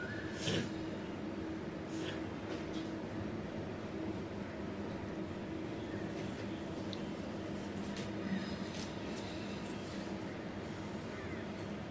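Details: Steady low rumble and hiss like a vehicle or train interior, with a few sharp clicks and knocks and no clear animal calls.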